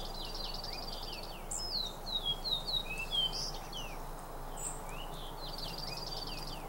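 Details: Juncos during a mid-April snowstorm: rapid, dry high trills with a flurry of thin, sharp chirps from several small birds, over steady soft patter and wind noise.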